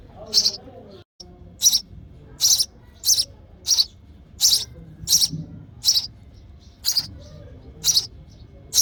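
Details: Hungry baby sparrow chirping for its mother in the nest during feeding, a run of about twelve shrill, buzzy notes repeated roughly every three-quarters of a second.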